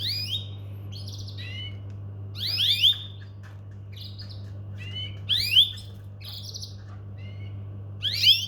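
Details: Domestic canary making scattered rising whistled calls and short buzzy notes, spaced a few seconds apart, over a steady low electrical hum.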